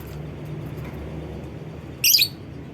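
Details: Lovebird call meant to set off other lovebirds: one loud, harsh, high chirp burst near the end, with low rumbling traffic-like noise throughout.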